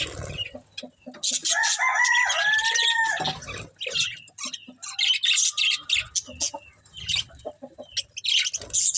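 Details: Budgerigars eating green food chatter in fast, high, scratchy chirps. A drawn-out harmonic call, perhaps a rooster crowing in the background, sounds early on, then quick clipped bursts of chirping follow.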